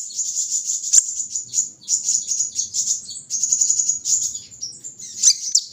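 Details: Continuous, shrill buzzing trill with rapid pulsing chirps from a brown-throated sunbird in the morning dew, barely pausing, over faint low background noise.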